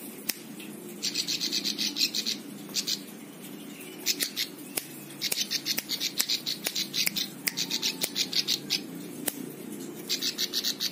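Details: A plain prinia used as a tutor for other cage birds sings repeated bursts of rapid, buzzy trilled notes, separated by short pauses and scattered sharp clicks.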